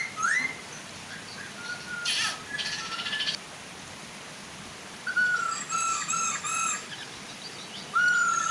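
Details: Female and male Chinese hwamei near a soft waterfall, singing to entice other hwamei: scattered sliding whistles with long pauses, a brief harsh burst, then a cluster of whistled notes, over steady water noise.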